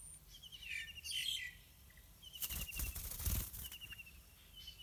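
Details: Yellow-vented bulbul parents feeding two hungry chicks on wild fruits and small insects in a pineapple garden; loud fluttering wingbeats mid-clip, harsh chirp bursts early, thin repeated trilled notes in the background.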